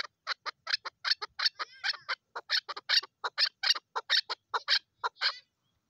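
A female chukar gives a fast series of about twenty harsh, clucking chuk notes, three or four a second, cackling and uneven, with nothing else heard.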